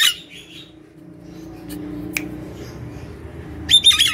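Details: A Nias hill myna (Gracula robusta) kept at home sings to lure and stimulate other mynas to sing. It gives loud, harsh squawks with a ringing high whistle, one burst at the start and another at the end, over a quiet indoor hum.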